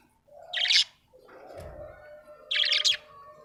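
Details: Happy pet budgerigar chirping: two loud, harsh high chirp bursts about two seconds apart, with a softer murmuring warble and a low thump between them.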